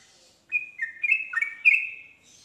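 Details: Yellow-vented bulbul singing to provoke a reply from other bulbuls; a clear whistled note slides into a chattering, bubbling phrase lasting about a second and a half, with faint higher chirps before and after.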